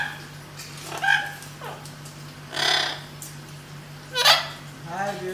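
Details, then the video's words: A blue-eyed cockatoo gives three harsh, raspy screeches about a second and a half apart, with softer squawks and chatter between them over a steady low hum. "Blue eye cockatoo"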